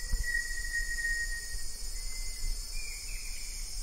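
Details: Banded yellow robin, also called olive yellow robin, gives a long, thin, level whistle that fades after about a second and a half, with a faint later note, over a steady high insect drone.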